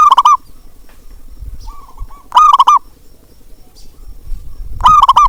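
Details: Local zebra dove calling, recorded as a calling sound to prompt a reluctant bird to sing: a loud, rolling cooing phrase repeated three times at intervals of about two seconds, each a quick burst of fluttering coos, with a softer phrase between.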